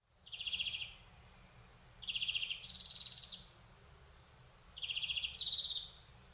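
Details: European greenfinch in Córdoba, heard at a distance: soft, buzzy, rattling trill phrases repeated about every two seconds, some pairing a lower rattle with a higher one, over a low rumble.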